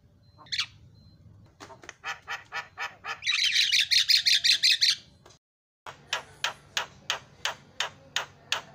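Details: Javan myna (jalak kebo) fill-in song from a masteran track made to provoke mynas into calling: evenly repeated sharp notes, then a loud grating burst of rapid pulses, a short pause, and more regular clipped notes.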